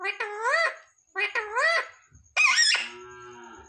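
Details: Pet parrot in a small room mimicking words like "mummy papa": two wavering, nasal speech-like syllables, then a harsher squawk-like burst trailing into a steady low tone, with a faint high continuous whine throughout.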